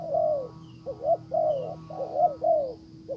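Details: Caged decoy spotted dove calling to pull in a wild bird, which ignores it; low rounded coos, a drawn-out falling note then short paired notes, about five coos in three seconds over a faint steady tone.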